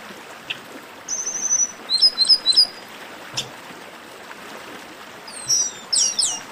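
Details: High thin whistles from a chestnut-capped blackbird in esquenta song: a short rattled note, groups of quick descending slurs, a silent stretch with a single click, then more sweeping downslurred whistles.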